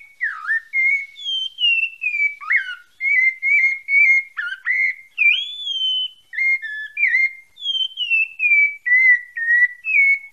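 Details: Bahia Santa Fé pale-breasted thrush in steady song of fluting whistles, mostly descending slurs repeated about twice a second, mixed with quick dipping notes and a rising swoop, with no other sounds.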